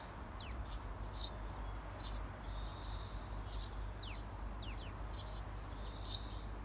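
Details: Outside a nest box, adult Eurasian tree sparrows coax their 17-day-old young to fledge with repeated sharp high chirps roughly every second, mixed with brief thin downslurred notes and a couple of short buzzy trills, over constant low hum.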